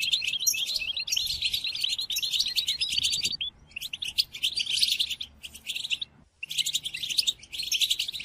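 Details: European goldfinch song for tutoring captive birds during moult: bursts of rapid, bright twittering with nasal buzzes, separated by short gaps, including a clear pause just after six seconds.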